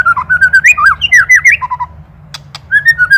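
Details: Master song of a white-rumped shama for songbird training: quick warbled whistles jumping in pitch, a short run of lower repeated notes, two sharp clicks, then a steady whistled phrase; low hum in the background.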